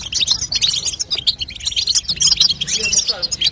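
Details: European goldfinch female giving calls to stimulate a young goldfinch to sing; dense high chatter of sharp chirps and twittering phrases, a few lower slurred notes near the end.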